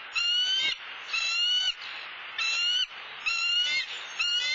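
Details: Bald eagle pair at their nest in Southwest Florida on a live camera, the male arriving with a soft-shelled turtle for the female; ringing, slightly rising whistled calls in half-second bursts, about once per second, with background hiss.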